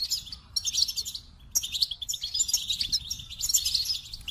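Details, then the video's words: Three bursts of bright, rapid goldfinch twittering, high tinkling notes mixed with buzzier trills, separated by short pauses, over a low background murmur. "The Captivating Call of Goldfinches"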